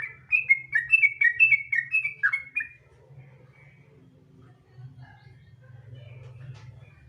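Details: Sooty-headed bulbul 'gacor ropel' lure song: about two and a half seconds of rapid liquid whistled notes, followed by near silence with only a low steady hum and faint distant chirps.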